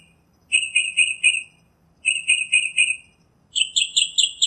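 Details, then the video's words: In nature, a northern mockingbird sings three phrases of quickly repeated notes, the first two lower and similar, the third switching to a higher, sharper series. "Birds Singing - Northern Mockingbird"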